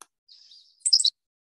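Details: Henslow's Sparrow, a grassland sparrow now more common around Chicago, giving a faint thin lead-in, then a quick, very high two-part 'tsi-lick' hiccup lasting a fraction of a second, like a sneeze.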